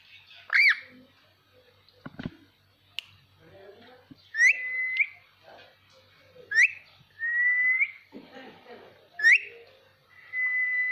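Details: Ringneck parakeet, a pet bird, whistling in varied voices: a loud squawk, a few clicks, then a series of sharp upward chirps each trailing into a level held whistle.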